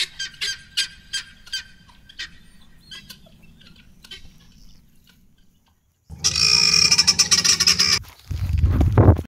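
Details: A flock of helmeted guineafowl in their territory at Northcliff Ridge EcoPark, Johannesburg, South Africa, give harsh, grating calls in quick repeated bursts, followed by a loud noisy stretch and low rumbling.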